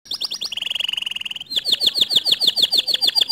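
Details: Canary song to stir a non-singing canary: a fast high trill dropping to a lower rolling trill, then a run of rapid repeated sweeping notes.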